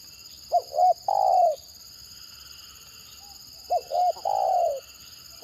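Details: Stuttering spotted dove, called tekukur gagap, used as a decoy for other birds: two phrases about three seconds apart, each two short hiccup notes and then a long, gently falling coo.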